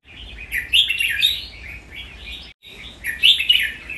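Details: Red-whiskered bulbul kept as a cage bird, in a training song recording: rich, rapid warbling phrases, loud and bubbly, delivered in two rolling bursts with a brief break between them and faint low hum behind.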